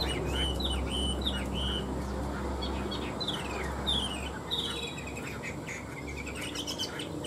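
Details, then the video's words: Chinese hwamei, two tame caged birds of three years, in fighting-style song: separated whistled phrases and down-slurs, partly masked by loud low hum and hiss. "Họa mi hót đấu"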